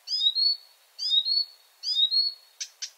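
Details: Marsh Warbler at night repeating a flute-like phrase three times, each a rising whistle that levels into a sustained note, then ending in a few sharp dry clicks.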